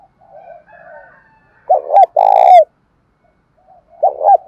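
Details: Spotted dove cooing, male and female, played to get captive doves calling: faint distant coos, then a loud bubbling double note and a long resonant coo, and a final double note at the end.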